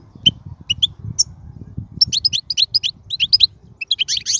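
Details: Wild royal goldfinch singing, recorded for tutoring young birds: a few spaced high chips, then a lively rapid twitter of sharp, liquid notes repeated in quick succession, over a low murmuring background.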